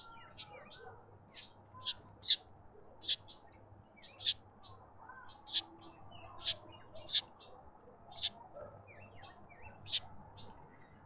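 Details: A Karoo thrush at a garden bird bath in suburban Pretoria, South Africa, gives sharp, high clicking chips at an uneven pace, roughly one a second, over faint twittering from other small birds and a low hum.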